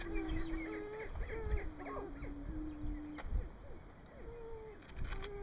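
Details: Booming ground in Nebraska in March, Greater prairie-chickens giving low, level, moaning boom notes one after another, with scattered sharper calls and a rumbling low background.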